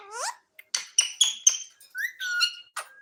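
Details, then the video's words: A pet talking parrot indoors, voicing a quick run of harmonic, slurred syllables: a rising wail, then clipped bright notes and a short upward whistle near the end, all close and loud. "My Talking Parrot"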